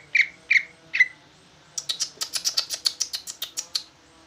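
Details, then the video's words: Big caged greater green leafbird in bulbul-like song: three separate clear notes, then a rapid string of high, sharp, ticking notes. "Ci ijo jumbo rasa trucukan ngoceh"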